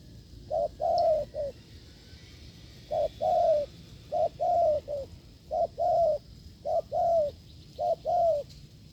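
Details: Wild spotted dove encountered while testing a decoy, giving forceful 'gù lợi cốt' coos. Six low phrases pace along, some with three notes, a short hoot, a long falling coo and a brief final note, over quiet hiss.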